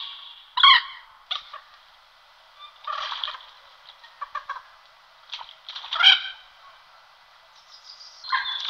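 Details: Common moorhen calling, a rail-family bird: short, sharp, harsh calls with stacked tones, given singly and in loose bursts across about nine seconds, with two louder strident notes standing out over quieter clucking.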